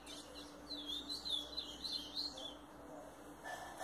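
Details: A Double-collared seedeater, a cage-kept male, sings a high, rapid twittering phrase of about two seconds, with a few thinner notes near the end over a faint low hum.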